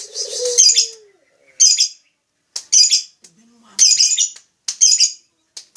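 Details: Lovebird uttering repeated bursts of shrill, scratchy chatter, about one burst per second with quiet pauses between, plus a faint lower squeak near the start and another midway.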